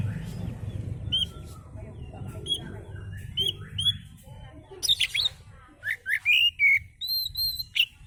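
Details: Oriental magpie-robin in relaxed song meant as a lure: varied whistled phrases and sharp chirps, louder and quicker toward the end, with a steady low hum underneath.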